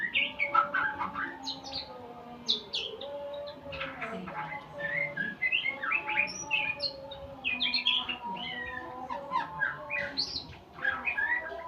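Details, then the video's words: White-rumped shama learning sounds, full-duration session with tutor recordings: long, varied medley of quick chirps, whistles and trills in bursts, pausing briefly near the end, with a steady background hum. "Murai pastol belajar Bunyi"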